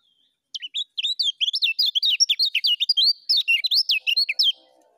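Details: Lemon-bellied white-eye in continuous 'ngejos' song: a dense, fast stream of high, bouncing whistled notes, roughly four per second, lasting four seconds before ending with a faint low hum.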